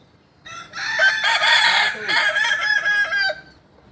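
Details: Kukuak balenggek rooster crowing at a practice contest in Panyakalan, Solok: one clear three-second crow, a loud opening note followed by a chain of stepped, wavering syllables that break off abruptly.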